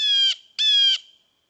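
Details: Blue jay giving its frequent "jay" call, used around feeders to scare off other birds: two harsh, shrill, slightly falling screams about half a second apart, with nothing else heard.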